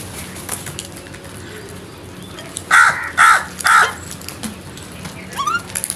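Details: Crow uttering three quick, hoarse caws in close succession midway through, evenly spaced about half a second apart, then quiet with faint distant bird notes and background hiss.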